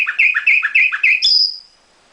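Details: Short phrase from a caged nightingale: five rapid, evenly spaced double notes, bright and rather metallic, ending in a single high, drawn-out whistle that fades.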